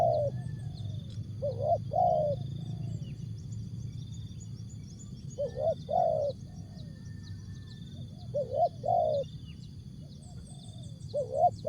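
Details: Spotted dove called tekukur, song in jergot, tapau or bungkus style: four short coo phrases, paired notes separated by pauses of a few seconds, against rumbling low noise and steady high whining tones.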